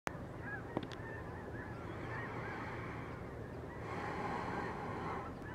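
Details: Tens of thousands of geese taking flight above the Sacramento National Wildlife Refuge: a dense, continuous chorus of overlapping honks and yelps, swelling louder near the end, over a steady low rumble.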